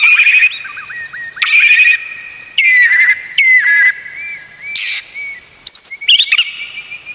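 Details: White-rumped shama singing as a model for other shamas: steady clear whistles interrupted by harsh raspy bursts and quick chattering notes in an uneven sequence.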